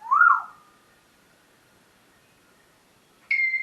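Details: Pet parrot vocalizing in the morning indoors: a loud, short rising-and-falling whistle, then a long quiet gap before a second bright whistle near the end.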